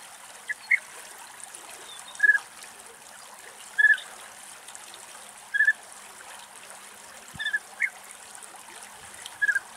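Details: European bee-eater in Greek nature: short, rolling, liquid calls at a middling-high pitch, given singly or in close pairs at irregular intervals of one to two seconds over a quiet background hiss.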